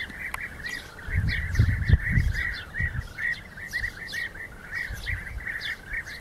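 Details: European bee-eaters in rival fights give rolling, liquid mid-pitched calls in a dense stream of about three per second, several birds overlapping, over a low wind rumble; recorded 2014.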